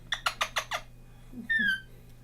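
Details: An angry pet parrot having its nails trimmed indoors gives five harsh, raspy squawks in quick succession, then a drawn-out whistled squeal, over a steady low indoor hum.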